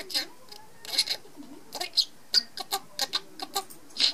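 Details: Pet budgerigar, described as a male, talking in its sleep: short buzzy, scratchy chattering bursts with squeaky high notes, spaced by brief pauses, in a quiet indoor room.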